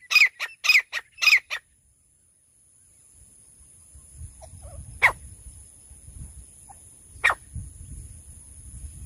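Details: Female francolin voice for hunting: a burst of five loud, rasping calls in quick succession, then quiet and two isolated sharp notes a couple of seconds apart over low rumbling noise and a constant high whine.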